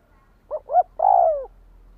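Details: Spotted dove call played to stimulate a decoy bird into calling: two short soft coos, then a longer, drawn-out coo that slowly falls in pitch. The background is otherwise quiet.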